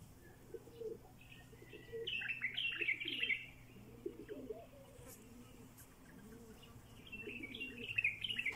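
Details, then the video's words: Bulbul gives bright, bubbly chirping phrases in short bursts, with soft cooing of doves in the background. "বুলবুলি পাখিরে ডাক"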